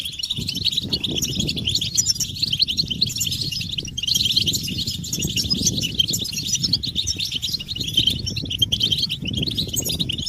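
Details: European goldfinches chattering together as a stimulation recording to set males singing: a dense, unbroken wash of high twittering and tinkling notes from many overlapping birds, over steady low rumbling and thumping noise.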